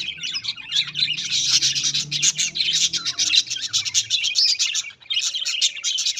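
Budgerigars chatter continuously with rapid high chirps, warbles and scratchy whistles.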